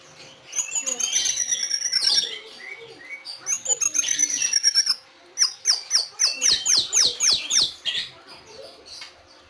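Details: White-rumped shama at a Kebumen, Indonesia breeding farm singing thin, high, descending whistled phrases over chatter, twice, then a string of sharp, loud, evenly spaced notes around two seconds long.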